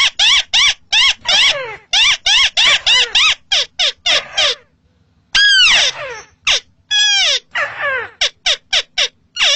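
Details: Crake calling in rice fields: loud, rapid series of clear, harmonic notes, each sliding sharply downward, delivered in quick bursts of several notes separated by short pauses, with a longer gap midway; no other sounds heard.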